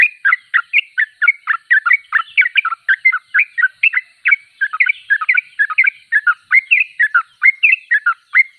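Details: Persistently singing (gacor) sooty-headed bulbul (trucuk): a steady, lively stream of short bubbly whistles and downslurs, roughly two notes a second in irregular clusters, continuing without break against a quiet backdrop.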